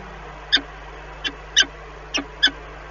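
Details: Peregrine falcons at a nest in Lublin, Poland, on 14 April 2020 during morning egg turning, with the calls coming from another nest: five short, sharp, harmonic notes at irregular intervals over a steady low hum.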